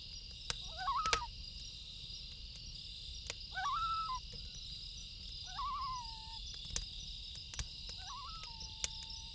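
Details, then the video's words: Loons calling at night beside a crackling campfire: four wavering, quavering phrases near one pitch, roughly every two to three seconds, with fire pops and a steady high hiss behind. "1 Hour Loon Calls With Campfire Sound"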